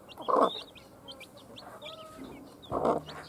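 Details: Just-born chickens peeping right after hatching: quick high chirps scattered across the recording, broken by two loud broadband bursts near the start and end, plus a low steady hum.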